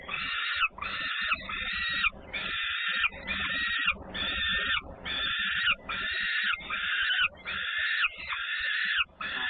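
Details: Peregrine falcons, Włocławek, Poland, 3 June 2010, with two feedings and a sister coming home with much noise; about eleven hoarse, grating wails in a regular rhythm, nearly one per second.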